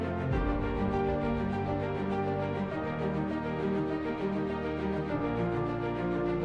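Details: Only instrumental background music is heard, with sustained tones and no animal sounds.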